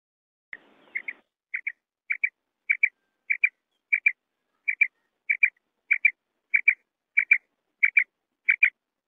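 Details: Common quail repeating crisp double notes at an even pace, roughly one pair every two-thirds of a second, after a brief rustle at the start.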